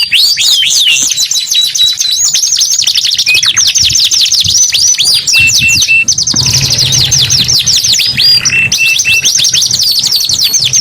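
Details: Canary singing in a loud, continuous kenari gacor song: rapid high whistled trills and sweeping downslurred notes, a brief steady tone near the middle, with a faint low hum underneath.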